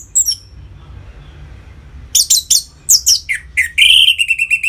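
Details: Ngeplong song of the orange-headed thrush for stimulating captive birds into breeding condition: after near silence, a string of strong downslurred notes leads into a rapid, rhythmic series of short repeated chips. Low hum behind.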